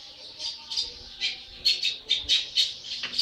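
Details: Young long-tailed shrike, about 80 days old, singing vigorously: a run of harsh, scratchy high notes in uneven bursts, some with thin whistled overtones, roughly two a second.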